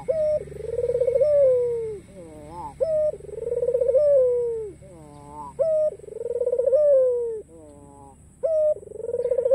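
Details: White ringneck dove with a black collar, very vocal, cooing to invite rivals to call back: a repeated mellow, low coo with a short opening note, a trilled middle and a long falling tail, about every three seconds.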